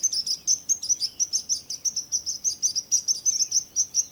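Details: Energetic high-pitched chirping, notes tumbling out several per second, with a short wavering whistle near the end from a second bird.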